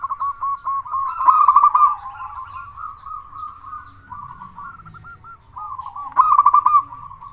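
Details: Frequently singing local zebra dove used as a lure for other doves: a fast rattling run of coos swells into a loud trilled burst, softer stuttering notes follow, then another loud phrase near the end.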